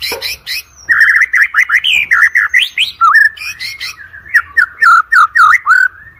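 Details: White-rumped shama singing to train competition birds: a rapid, continuous run of varied whistled notes, slurred up and down in quick succession, with sharp high chips and a brief squeak at the start.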